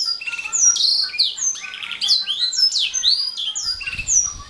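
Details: Atlantic canary singing a dense, varied run of high whistled slurs and short trills, with a faint low rumble near the end.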